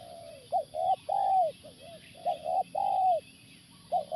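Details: Spotted dove, or tekukur, heard while being lured with a live decoy on factory grounds, repeats soft, low coo phrases of quick short notes and longer mellow ones, with a constant mechanical hum behind.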